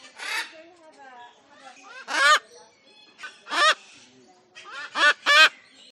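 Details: Harsh, raucous cockatoo screeches, four or five loud grating bursts roughly every second and a half, with quieter wavering, chatter-like notes between them.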